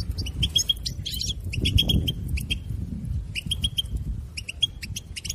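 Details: European goldfinch song for stimulating a captive goldfinch to sing, with quick clusters of sharp, high twittering notes and short trills separated by brief pauses, set against constant low-pitched background noise.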